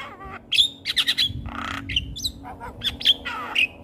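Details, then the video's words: Javan myna song used for training young mynas to sing: loud harsh squawks and piercing whistled notes in quick succession, a broad rasping burst in the middle, and short squeaky chirps. "Jalak Kebo Gacor Coba Ini Untuk Melatih Jalak Muda Jadi Gacor"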